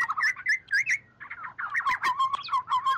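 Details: Oriole calling its flock, recorded without background noise as a lure: quick chirpy whistled notes in rapid succession, a brief pause, then a busier run of warbling, clipped whistles.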